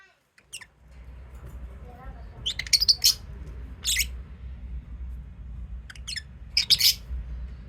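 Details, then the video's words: Lovebirds chirping: scattered harsh, piercing squawky chirps, some doubled, coming in bursts a second or more apart over a low background hum. "Love birds singing sound and chirping sound"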